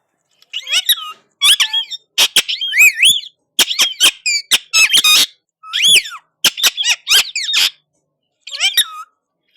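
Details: Indian ringneck parakeet chattering back at another parrot, with loud repeated bursts of squeaky, looping word-like syllables and sharp clicks, grouped in quick phrases with short gaps.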